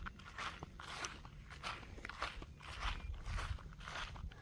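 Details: Irregular crunching and scraping steps outdoors, repeated about every half second over low rumble.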